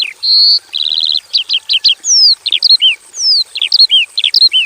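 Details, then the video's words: Caged Javan bush lark in a simple aviary: a steady high whistle and a fast buzzy trill, then a pattern of long falling whistles followed by clusters of sharp chirps, repeated in short cycles. "KICAU SUARA BURUNG BRANJANGAN JAVANICA GACOR FULL ISIAN"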